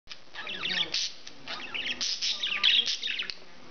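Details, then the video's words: Pet English budgie, male, chattering indoors: dense run of warbled, scratchy chirps and clicks with brief sharp squeaks, continuous and varied, no pauses longer than a moment. "Whaley The English Budgie Is A Psychic!!"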